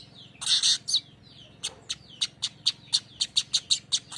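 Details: Streaked weaver (manyar kembang) song in the rolling 'besetan ngerol' style, played as a lure to attract birds: a brief buzzy burst, then a steady run of sharp high chirps about every third of a second.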